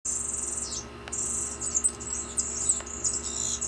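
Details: Yellow-faced grassquit at its nest holding two fertile eggs gives very high, thin, buzzy trills in near-continuous runs broken by short pauses, over a faint steady low hum.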